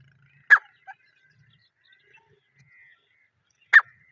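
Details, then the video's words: Partridge (teetar) calling in the wild in a jungle setting, natural unedited sound: a sharp, rasping note, a quieter short note soon after, then silence until a second loud harsh note about three seconds later. "Jungle Mein Teetar Ki Asli Awaz | Natural Partridge Sound"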